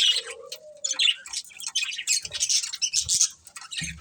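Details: Chirping from a breeding pair of budgerigars, a quick run of scratchy high chatter and short squeaky notes, opening with a faint thin whistle underneath.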